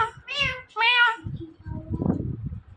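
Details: Talking parrot saying "Mithu" indoors: two loud nasal, harmonic syllables in quick succession, followed by low muffled background noise.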